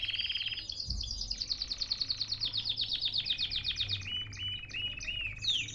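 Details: A canary singing in captivity in Baghdad, Iraq: a short rattling trill, then a run of evenly repeated upward-flicked notes, ending in scattered whistled phrases and a rising sweep.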